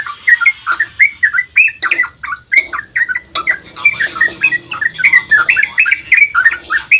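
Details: Yellow-vented bulbul in a long, rapid dawn 'ropel' song, used as a lure to make other bulbuls answer: bubbly, slurred whistled notes that run nonstop, some doubled, with brief sharp clicks between phrases.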